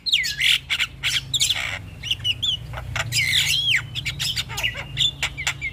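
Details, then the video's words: Javan myna lure song meant for stressed birds: looping whistles that rise and fall, harsh rasps and scattered clicks, with a faint low hum throughout. "Suara Pancingan Jalak Kebo"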